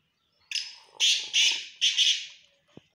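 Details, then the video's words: Black francolin, locally called black teetar or chinga batair, giving one harsh, grating call phrase: a short lead note followed by four loud rasping bursts over about two seconds, then a faint click; no other clear sounds. "black teetar or chinga batair ki awaz/Teetar ki awaz"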